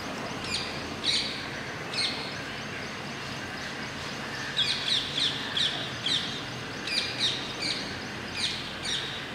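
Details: Rose-ringed parakeets at Masab Tank, Hyderabad, give harsh, shrill screeches, singly and in quick runs of four or five, over a steady hiss of background noise.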